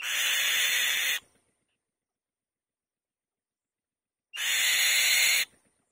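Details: White-tailed kite female at her nest giving two loud, grating hiss-like screeches, each about a second long, separated by roughly three seconds of silence.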